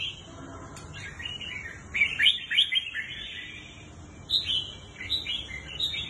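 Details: Red-whiskered bulbul, a kept bird offered for sale, sings a rich burst of tumbling whistled notes, pauses briefly, then adds a second shorter phrase of bright chirps over faint hum.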